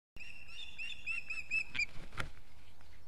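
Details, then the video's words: Osprey in Estonia on a foggy day, 2 September 2018: a rapid series of short, clear whistled chirps at an even pitch, run together in a chattering string, then a few scattered clicks and knocks. "Estonia Osprey Foggy"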